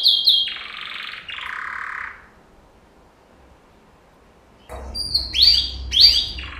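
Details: A yellow male canary sings training-song phrases: a high note into two rattling buzzy rolls, a silent gap, then sharp sweeping whistled notes given in pairs.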